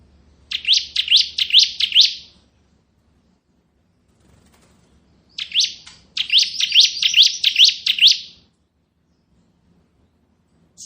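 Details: Bar-winged prinia, of the crystal type, singing in the ngebren style: two fast bursts of sharp, high chirping notes, each burst about two seconds long, separated by a pause, with a faint low hum beneath.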